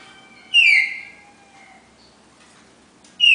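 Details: Red-crested cardinal pair in the classic four-note Bagé song style: one loud clear whistled phrase sliding downward and fading, then another phrase beginning at the very end.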